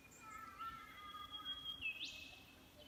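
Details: Birdsong in the Dandenong: long, pure whistled notes held steady at a high pitch, then a quick upward-sweeping whistle, with softer lower whistles from another bird underneath.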